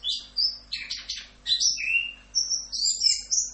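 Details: Orange-headed thrush (anis kembang) singing a masteran phrase in the 'Rock'n Roll' style: clear high whistles, a short buzzy cluster, a long falling slur, then bright whistled notes that climb toward the end.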